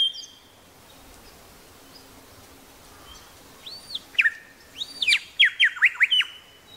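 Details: Grey shrike-thrush from Tasmania, quiet at first with faint distant whistles, then a louder burst of looping notes and a fast series of ringing downward-dipping notes near the end.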